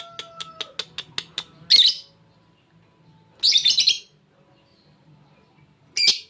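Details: Champion ngekek lovebird with a cililin filling, used for song training: a few fast ticks and faint whistled tones, followed by rough squawking bursts separated by quiet gaps.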